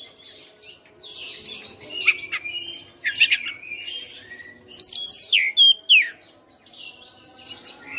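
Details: Caged white-rumped shama in strong song, mixing quieter scratchy warbles and harsh buzzes with a burst of loud, bright whistled slurs and sharp chips midway.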